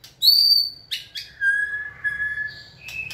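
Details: Trained white-rumped shama, prompted to sing; a high pure whistle, then clicks and a long low sustained whistled note, ending with another rising whistle.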